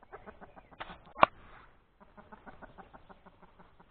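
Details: Egg-laying hen outside in the open, uttering a steady string of short, evenly spaced clucks with one sharp louder note near the start before the clucking resumes at a quieter level.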